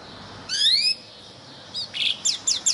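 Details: Yellow canary in training song gives a bright rising whistled slur, a pause, then a few short sharp descending chips.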